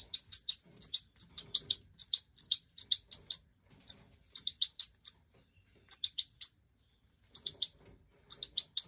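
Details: Five fledgling European goldfinch chicks of the Major breed, bred in 2024, begging as the hen feeds them after leaving the nest: thin, very high chirps in quick runs of three to eight, repeated with short pauses, clean background.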